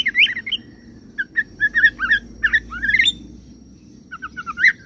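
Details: Oriental magpie-robin song imitating cililin and serindit, here as irregular squeaky slurred whistles and short upward sweeps with pauses between phrases, over a low continuous hum.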